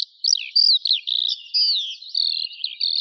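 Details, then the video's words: Drawn-out, high whistled phrases and quick slurred notes from a Eurasian skylark, sung in a lively, continuous flow. "Skylark Birdsong"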